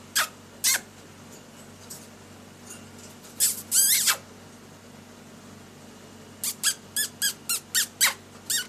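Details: Lory singing during daily activity and play: sharp shrill squeaks scattered at first, a longer grating squawk near four seconds, then a quick run of about eight evenly spaced piercing chirps, over a quiet room hum.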